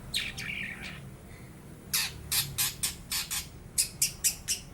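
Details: A young long-tailed shrike, its bill not yet fully black, sings mimicked lovebird and house sparrow notes. Harsh buzzy squawks open the clip, then evenly spaced scratchy chips repeat about three times a second.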